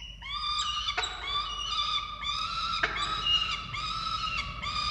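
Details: Falcon family at the nest in Orange, Australia, 13 November 2022, while chicks are fed: continuous overlapping whining calls, slightly rising and falling, punctuated by a few sharp taps.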